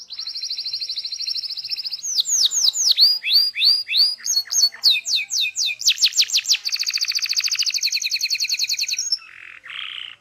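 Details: Local Indonesian canary, masteran training song in full ngeroll style: steady high trill, then looping whistled swoops in quick series, a rapid rattling roll, and a brief harsh note at the end.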